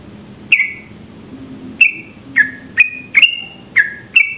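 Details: Sooty-headed bulbul singing energetically as a lure to make other bulbuls sing fast: liquid downslurred whistles repeated roughly once a second, some doubled, against a faint steady high-pitched tone.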